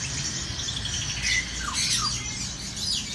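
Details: Kept black-throated sunbird calling in short, sharp, high squeaks and quick downward-sliding notes over about three seconds, against a steady low hum.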